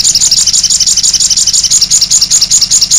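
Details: A sogon bird delivers the cit anten song as a relentless, rapid trill of high, flicked notes repeated evenly many times a second, loud and clear against a quiet low hum.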